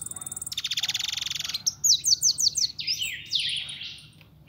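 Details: Pintón European goldfinch, a young pet bird, gives a rapid buzzing trill of about fifteen pulses in one second, then crisp tinkling chirps and scratchy slurred notes fading out.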